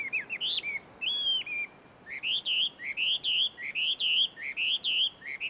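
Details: Wild Chinese hwamei song from a small wood at a Tenmangu shrine, Joso, Ibaraki Prefecture: quick whistled notes and one long level note, then a brief pause and a fast repeated string of looping, upward-twisting whistles.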